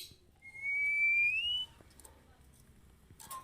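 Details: Female Oriental magpie-robin call for training: a single clear whistle held for about a second, climbing slowly and ending with a quick upward flick, over faint background noise.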